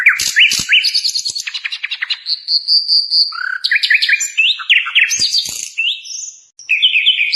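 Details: Flycatcher known locally as sikatan londo, recorded for tutoring other songbirds. It delivers a continuous fast medley of clear upslurred whistles, chattering trills and a sustained high whistled note, almost without pause, one short gap near six seconds.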